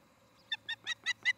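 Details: Osprey at a nest near Charlo, Montana, caught by a nest camera on the evening of 17 August 2018; five short, bright, harmonic chirps in a quickening series over a low steady hum.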